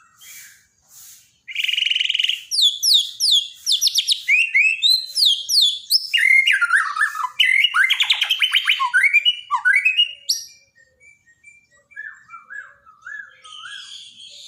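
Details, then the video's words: Borneo white-rumped shama in daily training audio for a bird that has gone quiet. A long, rich, varied song of rapid downslurred whistles, buzzy rattles and chattering phrases runs for about nine seconds, then thins into softer scattered notes. "borneo dokter burung murai mandek (Masteran harian)"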